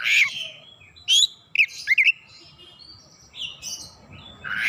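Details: Kacer (oriental magpie-robin) in gacor lure song with isian phrases: a rasping opening note, a few sharp upward-sweeping whistles and chips, faint thin whistles in a quiet middle, then another harsh note.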